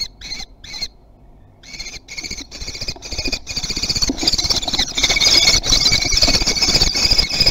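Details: Common kestrels at Théding, France, 3 July 2020, chasing food: shrill, harsh, repeated squealing notes in quick series, a brief pause, then a steadily louder, more continuous screaming over a rough rumbling background.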